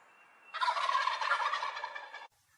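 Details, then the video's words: Single loud turkey gobble, a rattling, bubbling burst lasting nearly two seconds, with near silence before and after. "Suara Ayam Kalkun Lucu"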